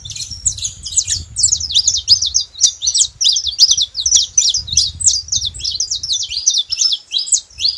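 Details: Wild saffron finch singing free in nature: a rapid, continuous run of sharp, high chirped notes, many sliding downward, delivered almost three per second with uneven spacing, over faint low background rumble.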